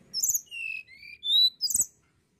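Sunda blue robin singing a quick phrase of clear whistles, some falling and some rising, mixed with high buzzy trills. A soft knock is heard near the end.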